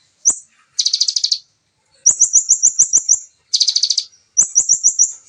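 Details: Bar-winged prinia (ciblek) in the fast, dense, clear 'nembak' shooting song style, natural voice: a high upslurred note, then buzzy rattling trills of about ten pulses alternating with rapid runs of sharp high chips, each burst under a second.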